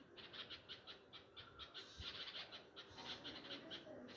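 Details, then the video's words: Grieving nightingale parents near their tree nest among flowering home pomegranate plants, calling after a cat took their young on the chicks' first flying day. Quick, harsh, scratchy notes repeat in a fast, even series. A faint thump is heard midway. "Behaviour of Nightangles After Loosing Chick | Birds Cry For Lost Chick"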